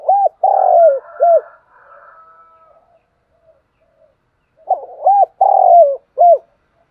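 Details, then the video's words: Morning spotted dove calling the flock: two repeated cooing phrases, each of short coos around a longer rolling coo that falls in pitch, separated by a quiet pause of about three seconds. "tiếng cu gáy gọi bầy buổi sáng"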